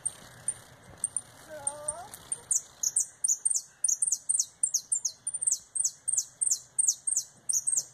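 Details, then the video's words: Canary in retinido style, singing a fast turn while coming back from molt; faint high ticks, then a rapid train of bright, ringing, high-pitched notes, each a sharp descending sweep, repeated several times per second for about six seconds. "Canário retinido"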